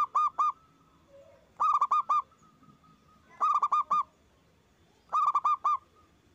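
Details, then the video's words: Local Indonesian zebra dove (perkutut) singing loudly as a lure and master recording to stimulate other doves to sing and learn. Rolling cooing phrases of four to five quick notes, repeated about every 1.7 seconds, with quiet background. "Perkutut gacor suara besar bikin ON nyaut buka paruh"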